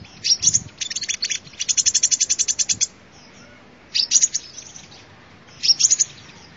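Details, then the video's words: Sunbird singing, recorded for luring: high rapid twitters, one long run of evenly spaced sharp notes, then two shorter chattering bursts after a pause. "tiếng chim hút mật"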